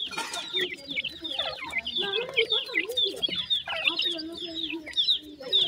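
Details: A brood of newly hatched painted francolin chicks keeps up high, thin, falling peeps in quick overlapping series, with a lower drawn-out murmur in the background.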